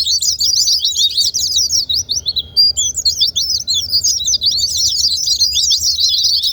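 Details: Provocation track of white-eye song for quiet birds: rapid, high, wavering chirps in lively runs, a short thin whistled pause near the middle, then renewed fast twittering.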